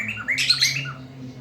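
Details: A very loud black-throated laughingthrush at midday gives one brief harsh, rasping burst with a few short whistled notes, over a low background hum.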